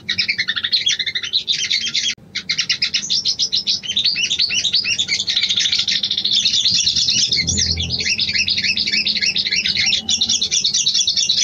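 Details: Female sooty-headed bulbul calling the male, used as a lure to bring a bird into breeding condition. Loud, continuous, rapid chattering of sharp high chirps runs almost without pause, with one brief gap, and a faint low hum underneath.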